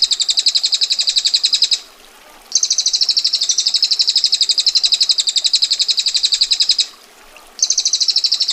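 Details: Female bar-winged prinia in the rapid, harsh 'ngetir' trilling style: long rolls of fast, evenly spaced high chips, broken by one short pause of about a second before the trill resumes.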